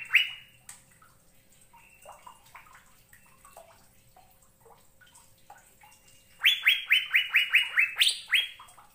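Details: Cucak biru, the Asian fairy-bluebird, at first giving scattered soft chips and short whistles, then breaking into a loud run of quick upslurred whistled notes with a higher note near the end.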